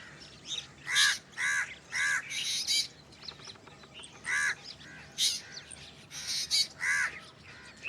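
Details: Black drongo strange calls: harsh, broadband arched notes mixed with high squeaky bursts, delivered irregularly about twice a second, with brief rapid clicking between phrases.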